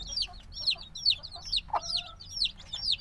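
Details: Very young black chicks, a few days out of the egg and needing warmth, give high falling peeps in quick succession, joined partway by a lower, longer trilling note from another chick.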